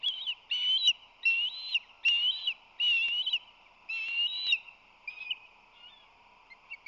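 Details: Osprey calling at a San Francisco Bay nest, March 2020, as the male arrives with fish and defends the nest; loud, drawn-out, high whistled calls come in repeated bursts of about half a second, with brief clicks between.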